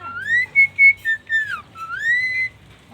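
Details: A talkative pet starling that also laughs, coughs, mimics chickens and calls people's names gives clear whistled notes: a long upslurred whistle, a few short level pips, then another rising whistle. A faint low hum sits underneath.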